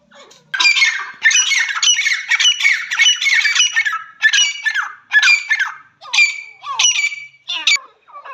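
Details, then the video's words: Partridge giving loud, harsh, squawking calls in bursts of rapid notes, with short pauses between phrases. There is no background noise. "teetar ki awaaz non stop sound of teetar"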